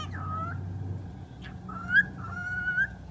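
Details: Talking bird producing flat and gently rising whistled tones with rich overtones, a brief harsh squeak between them, over a low droning background.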